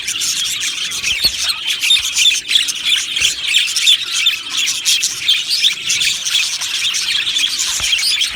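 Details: Happy budgerigars in an aviary colony: a dense, continuous wash of high, scratchy chirps and squawks from many birds at once, steady in loudness with no pauses.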